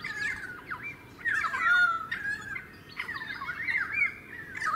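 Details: Pied currawong recorded in February 2018 in a suburban part of the Sunshine Coast, Queensland: rich, wavering whistles and gurgling phrases, some with harsh buzzy edges, flowing almost continuously.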